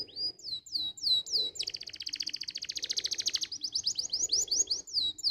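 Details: Canary song used as a tutor recording to get young canaries singing: falling whistled notes repeated about three per second, a fast buzzy trill in the middle, then more descending whistles.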